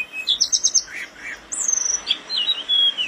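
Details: Tledekan gunung flowerpecker giving a training song: a quick triple of high chips, soft lower notes, then a long thin descending whistle and fading twitter.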